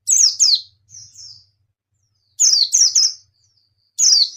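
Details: A white-eye sounds pairs and triplets of bright, high, downward-sweeping chirps with short thin whistles between bursts and a pause of about a second before the next run.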